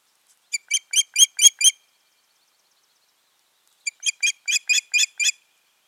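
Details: A pair of Ospreys at their nest, 14 June 2019, giving two bursts of six or seven loud, piercing whistled cheeps in rapid succession, each burst lasting about a second with a clean silent gap between.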